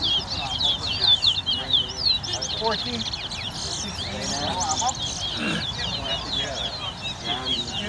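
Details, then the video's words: Bird race at Craig Bridge, Guyana, 2022, with a competing towa towa giving dense, fast warbled twitters and sliding chirps almost without pause, while spectators talk loudly throughout. "TOWA TOWA BIRD RACE"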